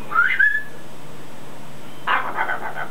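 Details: Pet male macaw outdoors practising words and mimicking its owners' noises: a rising whistled sweep, then a short pause and a run of harsh, pulsed squawks with a low background hum.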